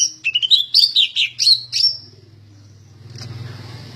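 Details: Greater green leafbird, a vigorously singing bird described as ready for a song contest, gives about nine quick whistled notes sweeping up and down over two seconds, then falls silent under a low steady hum and faint hiss.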